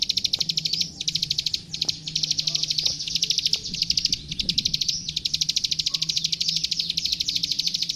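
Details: Plain prinia (klik klik) singing energetically in a master recording meant for training young songbirds: long bursts of rapid, dry, high ticking notes, about ten a second, broken by brief pauses, over a faint low hum.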